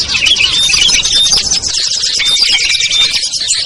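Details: Short burst of a small-bird lure chorus, used to pull reluctant birds down: crowded high-pitched chirping and squeaky whistles packed tightly together without gaps.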